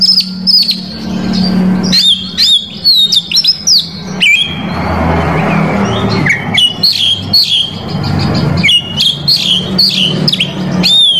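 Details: Oriental magpie-robin singing hard with a song packed with varied phrases, used to provoke rival males: bursts of sharp high chips and looping whistles, a rougher noisy passage near the middle, and a constant low hum beneath.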